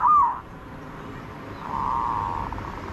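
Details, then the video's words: Zebra dove: one short arched cooing note, a pause, then a softer long buzzy coo ending in slight flutters, over low background noise. "นกเขาชวา ออดดีๆ เสียงดีๆ"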